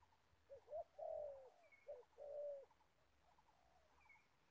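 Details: Trapping decoy spotted dove, an old bird in Gia Lai, Vietnam, with a couple of mellow coo phrases, short notes followed by a longer drawn note. The calls fade out over a hissy background.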